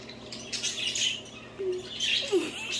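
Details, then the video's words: Pet budgerigars playing and singing indoors; scratchy chirps and warbled notes in two bursts, with a couple of short low squeaks, against a steady low mains hum. "Budgies playing and singing."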